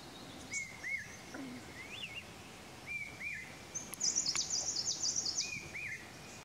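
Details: Chestnut-crowned Warbler (Phylloscopus castaniceps), Neora Valley, West Bengal, India, March 2019, gives short, thin, looping chip notes, often in pairs, about twice a second, with a brief burst of very high, rapid twittering partway through.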